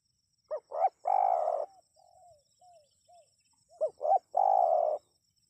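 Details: Spotted dove call intended to make wild birds answer. Twin short hoots and a long buzzy coo, several soft, quiet coo notes, then the same low phrase of two hoots and a drawn-out grainy coo again.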